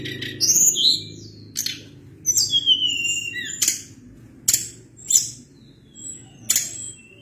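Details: A singing Sunda blue robin gives high looping whistles and a long falling whistle, then sharp, explosive notes spaced about a second apart, over a low background hum.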